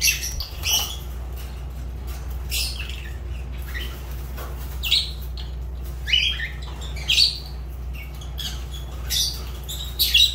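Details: Fischer's lovebirds make sharp, piercing chirps and short rasping squawks at irregular intervals, a few louder shrill notes standing out, with a constant low hum behind.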